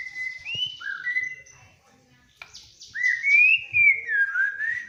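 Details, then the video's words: Vigorous song of a white-rumped shama, described as making other birds start singing: rich whistled notes, some sliding upward, a short pause, then a longer run of fluty rising and falling whistles. "Suara burung murai ini ampuh membuat yg lain bunyi. BURUNG MURAI BATU GACOR"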